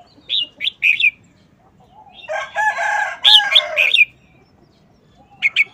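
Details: Caged red-whiskered bulbul showing off short, fast-chopped wild-style song: bright burbling whistled notes in quick bursts, with a long harsh rooster crow in the middle.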